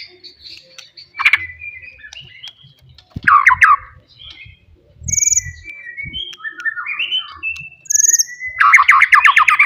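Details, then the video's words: Wild forest white-rumped shama delivering loud song meant to rouse rivals; scattered whistled phrases and chattering bursts separated by pauses, with faint low knocking or handling noise underneath. "KICAUAN ASLI MURAI BATU HUTAN. MEMANCING EMOSI LAWAN"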